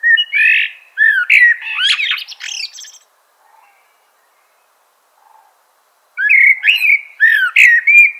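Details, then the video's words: Lively common blackbird song. Looping, fluty notes tumble together with sharp, scratchy squeaks in a busy phrase. After a gap, another warbling phrase follows. "Natural Birds Voice, Bird Natural Sound.Common Blackbird."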